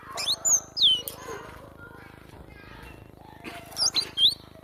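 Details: Cinereous tit in energetic masteran song: two or three slurred, high whistles at the start and another cluster at the end, with muffled background noise and faint talking between.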